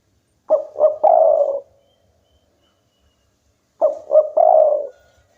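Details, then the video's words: Local spotted dove gives two cooing phrases about three seconds apart, each made of two quick short coos and a longer, rougher drawn-out coo. "tekukur lokal gacor bikin lawan ikutan bunyi"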